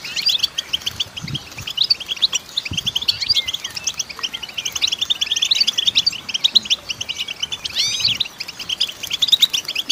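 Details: Goldfinch, a female, in continuous high twittering song: fast chirps mixed with brief trills and a few sweeping upslurred notes near the end, faint low thumps underneath.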